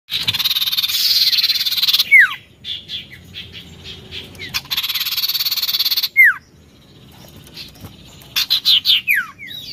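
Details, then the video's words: Oriental magpie-robin in lively, challenging song: long pulsed buzzy rasps alternate with sharp downward-sliding whistles and brief chirps, the rasp returning three times. "SIRTU GACOR NARUNG BIKIN EMOSI"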